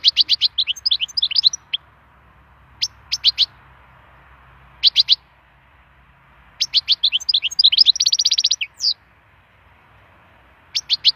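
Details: Wild European goldfinch singing in bright, tinkling bursts of quick twittering notes, with one buzzy trill partway through, separated by short pauses.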